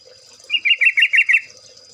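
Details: Trucuk, or yellow-vented bulbul, singing a short burst of six quick, gurgling notes in a level, evenly spaced run under one second long.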